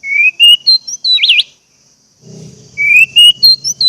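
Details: Orange-headed thrush song meant to encourage caged birds to start singing: rising whistled notes and a looping warble, a brief pause, then more rising whistles over a low rumbling background hum.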